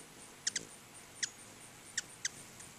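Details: Five high, sharp chips, two closely paired at the start, from hummingbirds crowding two feeders in front of a house, against a quiet hiss.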